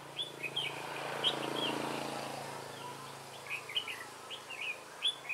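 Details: Trapping decoy red-whiskered bulbul, 3 November 2017, with scattered short chirped notes at first, a stretch of broad rushing noise, then a lively cluster of quick warbled phrases.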